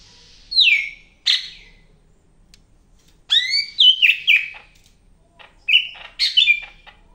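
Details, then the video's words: Medan greater green leafbird singing actively: a long falling whistle, then clusters of rapid slurred notes and chattering, bright fluty phrases separated by short pauses. "BURUNG CAK IJO MEDAN GACOR NGAMUK"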